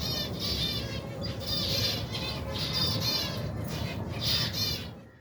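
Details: Finches and young in a colony of over 120 pairs, feeding during cold weather; repeated bursts of high, trilled, slightly buzzy chirps about once a second from overlapping birds, with a continuous low hum.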